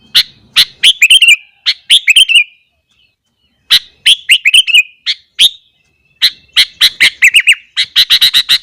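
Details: A sooty-headed bulbul sings persistently in the morning, its lively song said to provoke other bulbuls. It gives several bursts of crisp chips with rolling warbles, pauses, then ends in a quick run of rapid, even notes.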